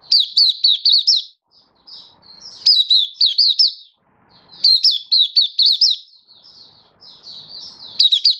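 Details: Bursts of fast, bright chirping from a Malaysian white-eye in Singapore, 20 March 2023, stable warm sunny weather; lively high notes in groups of four to six, separated by short quieter twitters.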